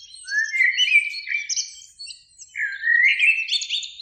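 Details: Springtime blackbird in a beech tree by an evening lake, one of two singers: a fluty rising whistle with squeaky high overtones, a brief pause, then a second warbled phrase climbing upward.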